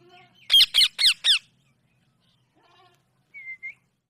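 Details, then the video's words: Indian parrot calling in a quiet room: four rapid, loud, grating squawks with falling inflection, then a long pause and a soft, thin whistled tone near the end. "natural talking sound"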